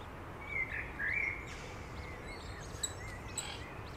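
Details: Thin, high piping notes come in two quick bursts, then fainter chirps, from a Eurasian coot family with seven chicks in Beverwijk, the Netherlands. A constant low hum runs underneath throughout.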